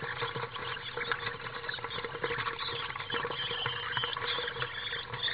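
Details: Two juvenile common swifts in a nest box on a house during a chaotic feeding, 15 July 2015: dense, shrill, buzzy twittering packed into the upper range, with scratching and rustling in the box and a steady low hum.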